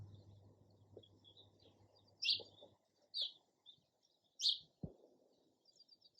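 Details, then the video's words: Sparrow chirping: three short, bright chirps spaced about two seconds apart, then faint soft notes, over a low steady hum that fades out partway through. "SOUND OF SPARROW RELAXING CHIRPING SOUND."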